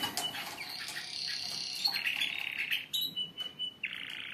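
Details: Canaries in group song meant to stimulate singing: sustained whistled tones, buzzy rolls and overlapping trills layered from several birds, with a steady high note near the end.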